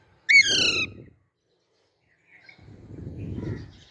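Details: A baby Alexandrine parakeet, a green Indian ringneck, gives one loud, harsh, rasping squawk with a short rising start, then a faint scratchy note amid low rustling noise.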